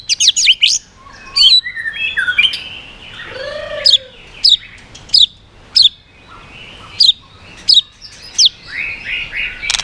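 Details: White-rumped shama singing to provoke other birds: opening sharp rising whistles, then a mix of warbled, slurred phrases, a low mellow downslurred note, and sharp high chips repeated at irregular intervals.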